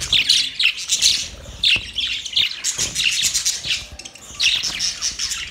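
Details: Budgerigar mating sound: bursts of bright chirps and rapid scratchy warbling, loud then easing off, with short pauses between phrases.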